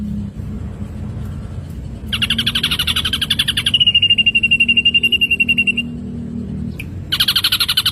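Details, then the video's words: Ashy drongo song used as songbird training material: quiet low hum, then a buzzy rapid rattle that smooths into a clean, steady high trill, a pause, and another harsh rattle at the end. "materi masteran burung srigunting abu - abu"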